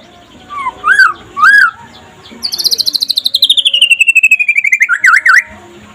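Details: White-rumped shama of the pastol kind singing during the day as a master for other shamas: two slurred whistles, then a long, fast, descending trill and a final looping whistle.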